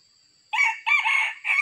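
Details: Wild red junglefowl cock in Sumatra, said to be very aggressive, crows during decoy trapping, a sharp three-syllable crow with a hoarse prolonged middle part ending abruptly, with a thin steady whine behind it.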